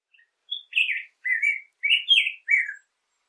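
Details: Black-headed grosbeak song variation: a handful of rich, slurred whistles given in a short burst, rising then dropping, with clean silence on either side.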